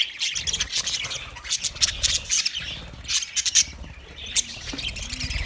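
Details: Budgerigar chatter: bursts of sharp, high-pitched chirps and warbles in uneven clusters, with brief quieter gaps between louder phrases.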